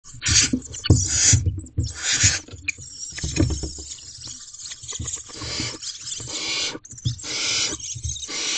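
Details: Barn owls in a nest box at 1:27 am on 2/7/23, as a female brings food to an owlet. Harsh, noisy hissing bursts of about half a second come in irregular groups, with low thumps and scraping in between.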